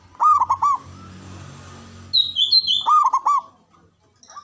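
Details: A male zebra dove gives two quick rolling coo phrases. Between them come high, thin whistled notes from another bird, all over a low background rumble.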